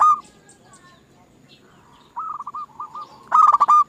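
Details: Zebra dove song played as a lure to provoke other doves: scattered brief coos, then a short stuttering run of soft notes and a final loud, rapid cluster of rich cooing notes.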